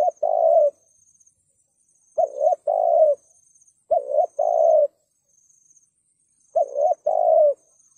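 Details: Lure recording of a spotted dove in the thúc gù style, 'sát bổi' voice: paired hollow coos, a short clipped note then a longer mellow one, repeated about every two seconds over a faint high hiss.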